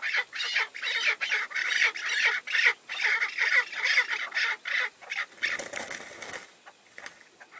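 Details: Tethered decoy chukar with approaching wild males: loud, raspy chuk calls pulsing about twice a second, several voices overlapping, fading into quieter scattered notes near the end.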